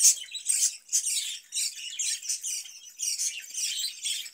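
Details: Caged budgerigar chattering in summer, when it is given cucumber. Raspy, high-pitched warble flows nearly without pause, punctuated by louder squeaky notes.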